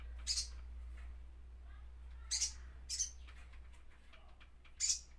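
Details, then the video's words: Crimson sunbird with sparse, piercing high chips at uneven intervals against a constant low rumble and faint background noise. "sogon bunyi"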